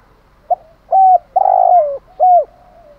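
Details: A Spotted Dove gives a cu gáy "thúc gù" coo, used as a call to stimulate other doves: soft, low, hollow notes, a brief clipped note, then three longer, slightly falling coos about a second apart, against a quiet background.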